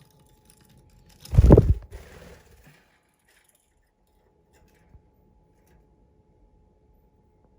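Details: One loud low thump and rustle around the second mark, then near silence with a faint electrical hum and an occasional soft tick, and no animal voices.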